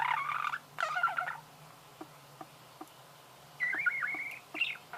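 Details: Budgerigars producing creaking sounds: a few harsh, grating bursts at the start, near silence with faint ticks in the middle, then a raspy, wavering squeal and a short squeak.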